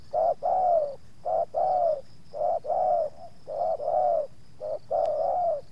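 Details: Spotted dove calling during a lure of wild doves in Subang, two wild birds coming to one yard. Rhythmic low coos in short-long pairs, the long notes sliding down, about one pair per second, with a thin steady whine.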